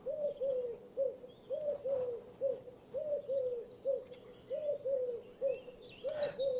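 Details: Eurasian collared dove in North America giving low, hollow hoo-HOO-hoo coos, faster than a mourning dove's, repeated about every second, with faint high chirps from other small birds behind and a squeak as the dove flies off.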